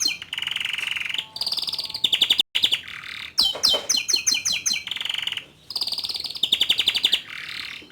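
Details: Young male canary singing, aimed at rousing a juvenile to begin singing. Long buzzy trills and rolling tours alternate with a burst of quick sharp chirps, with brief pauses between phrases.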